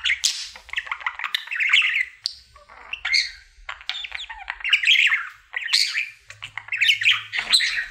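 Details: Indoors, a happy pet male budgie sings his daily routine: bursts of scratchy chatter and squeaky chirps broken by brief pauses, with buzzy notes and quick rising whistles.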